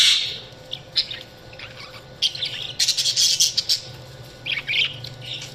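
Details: Budgerigars chirping in a continuous high warbling chatter, bursts of scratchy squawks and quick twittering notes rising and falling, loudest around the middle, over a low steady hum.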